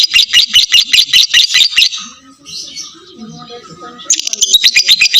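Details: Ngekek trill of a lovebird, used as a lure for longer singing in other lovebirds: quick chattering bursts, a quiet stretch with faint low murmuring, then the fast high trill returns.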